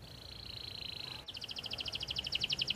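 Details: Canary singing, played day and night to encourage other birds to sing: a steady high trill that breaks into a louder, slower series of paired chirping notes, with faint background hiss.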